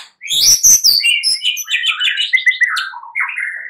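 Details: White-rumped shama singing at night, played as a lure to spur other birds into full song: a rich, fast jumble of high sweeping whistles and chattering notes that falls into lower rising phrases, ending in a short warbled run.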